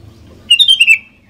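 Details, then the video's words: A single sooty-headed bulbul phrase, meant as a lure to prompt other bulbuls to sing: one loud, quick run of bubbly whistled notes, gently falling and fading out. "Kicauan Kutilang Gacor DOOR, Jagonya Buat PANCINGAN"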